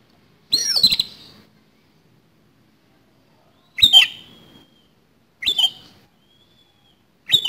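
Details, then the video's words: Oriental magpie-robin in fighting song with a rough, harsh fill-in style: four loud, scratchy bursts with sharp downward sweeps, spaced about two to three seconds apart with silence between. "KACER TARUNG ISIAN KASAR"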